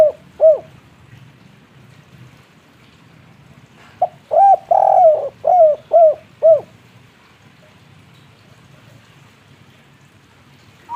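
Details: Spotted dove of local wild stock, tekukur kuk-3 type, cooing: one soft note, a pause, then a phrase of a long rolling coo followed by three or four short hollow hoots, with quiet background hiss.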